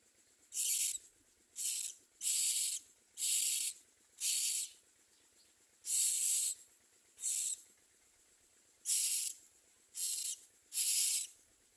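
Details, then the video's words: Baby common mynas in a nest making ten short, scratchy hissing bursts at uneven intervals, some clipped and brief, others longer, with quiet gaps between. "Common myna The baby birds under it do not eat"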